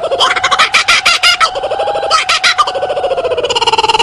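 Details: Kookaburra's loud, rapid chuckling call: a steady stream of throaty pulsed notes. They hold a fairly even pitch, then break into faster, tighter bursts near the end.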